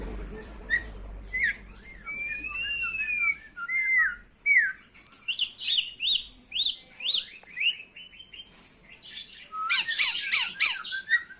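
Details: A myna offering a greeting: soft slurred whistles and a long gliding note, then rhythmic sharp chirps repeated about once a second, ending in a loud burst of harsh, jumbled squawks.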